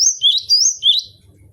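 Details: Gelatik batu, a cinereous tit kept in a cage, gives a short burst of bright whistles, a low rising note paired with a higher level whistle, repeated twice before quiet.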